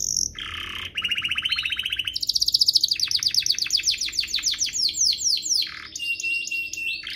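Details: Domestic canary song played to teach young canaries, moving from buzzy rolls into a long run of quick downward-sweeping notes and a high pulsed trill.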